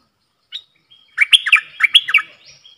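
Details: Bulbul in a cage answering wild birds in a singing duel, recorded 3 October 2021: a lone sharp chirp, then a fast, loud string of warbled notes over a held whistle, closing on a high rising whistle.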